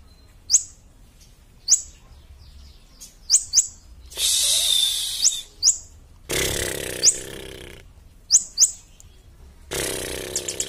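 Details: Bar-winged prinia (Prinia familiaris) song used as a tutor recording for training birds: sharp, high, upslurred chirps spaced a second or two apart, broken by loud stretches of harsh, buzzy cicada-like noise.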